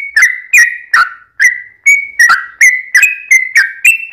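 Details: Lure song of a lively yellow-vented bulbul, the long 'ropel' style: chirpy whistled notes, some drawn out and falling, repeated in quick irregular succession.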